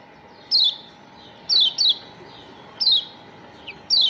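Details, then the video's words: Yellow white-eye from Lombok, used to lure other birds; clear high descending whistled notes, single or paired, roughly once a second over a faint hum. "Pancingan Kecial Kuning Paling CEPAT Bikin Kecial JOSS NEMPEL"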